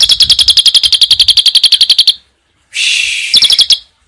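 Asian pied starling giving a rapid, high, metallic chatter of about ten notes per second, broken by a harsh hissing burst before the chatter resumes briefly.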